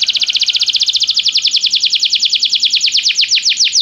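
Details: Belgian canary singing as part of song training: one continuous fast trill of bright repeated notes, steady in pitch and pace, loosening slightly near the end.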